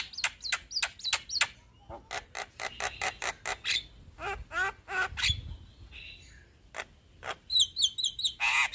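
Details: Long rolling song from a male Javan myna: quick sharp whistles and a stream of rapid harsh chacks, a brief lull with faint whistles, then high rapid trills and a final harsh burst.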